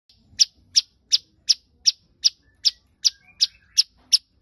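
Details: Long-tailed shrike giving a series of eleven sharp, high, clipped chirps, one roughly every third of a second, each a brief downward stroke, with faint low rumbling underneath.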